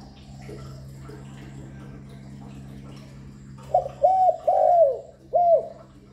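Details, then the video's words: Spotted dove call meant to lure and stimulate other doves. After three quiet seconds, one phrase of four soft, hollow coos follows, including a drawn-out falling note and a short final coo, over a faint constant hum. "Tiếng Cu Gáy GọI, Cu Thúc, Cu Gù liên tục không tạp âm, kích bổi hiệu quả"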